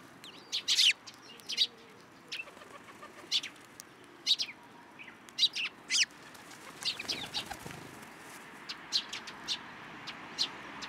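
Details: Several sparrows at a Tenmangu shrine on 9 April 2023 flutter onto an outstretched hand to get food, giving short, sharp, high chirps at irregular intervals, some in quick pairs, mixed with soft wingbeats over a steady background hiss.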